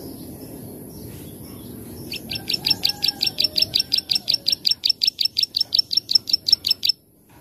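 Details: Plain prinia in the 'klik-klik' style used as master recording for training birds: a fast run of about twenty buzzy, clicking high notes, roughly three per second, with faint low whistles early on and a steady high hiss.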